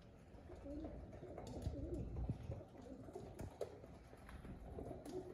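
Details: Several low, throaty pigeon coos overlap in a rolling burble through the middle of the recording, from birds described as happy, with a dull background hum throughout.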